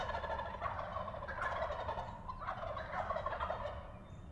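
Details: Pennsylvania wild turkey longbeards strutting and gobbling on the roost before fly-down, several rapid rattling gobbles following one another in quick succession and overlapping, loud and continuous throughout, with low rumbling background noise.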